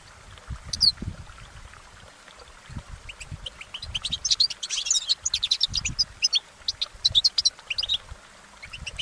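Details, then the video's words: Wild goldfinch song that begins with a few sparse high notes, then builds into a rapid, sustained twittering of bright chirps and trills. "Exceptional recordings of the goldfinch in nature"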